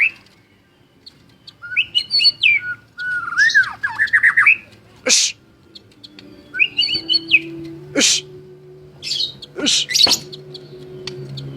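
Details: Captive white-rumped shama singing vigorously: varied phrases of sweeping whistles and rapid warbled notes, broken by several sharp loud clicks or knocks, over a low steady hum.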